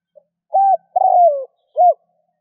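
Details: Call of a spotted dove played to attract wild doves: one clean phrase of three low coos, a short arched note, a longer downward-sliding coo, then a final arched note.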